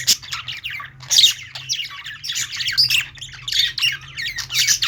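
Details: Budgies in a pet store singing together: tumbling, scratchy warbles and short squeaky chirps overlapping without pause, with a steady low hum in the background.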